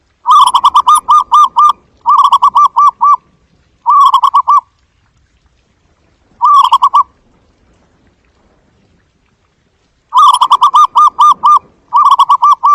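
A zebra dove gives short bursts of quick, staccato cooing notes. Each phrase has about six to eight rapid pulses and repeats at uneven gaps, with no other sounds.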